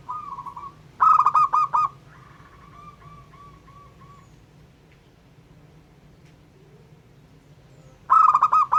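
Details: Local zebra dove calling to provoke other doves: a loud burst of quick clipped coos, a drawn-out softer trill, a long pause, then another loud burst of staccato coos, over a low hum.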